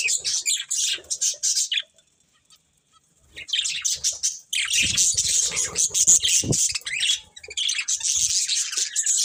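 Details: Two breeding budgerigars chirping in bursts of rapid, high scratchy notes, with a near-silent gap of over a second and some low bumping sounds.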